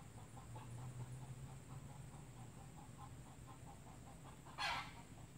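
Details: Red junglefowl (Gallus gallus) from Sabah giving a quick run of soft, low clucks, about four a second, over a steady background hum; a sharp brief rustle near the end.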